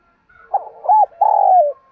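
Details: Spotted dove from Đồng Nai, Vietnam, giving its calling coo, a recording used to lure wild birds; soft short hoots lead into a long, husky, sustained coo that slides lower at its end, with a quiet background.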